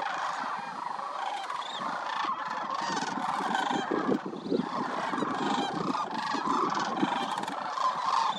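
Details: Overlapping rolling calls from a large wintering flock of migratory sandhill cranes at Willcox Playa Wildlife Area rise and fall, with individual trumpeting notes breaking through the chorus.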